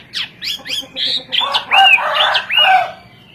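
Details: Hwamei, prized in Indonesia though native to China, delivering varied song: quick downslurred whistles, a steady buzzy note, then loud, rich looping phrases dipping lower in pitch.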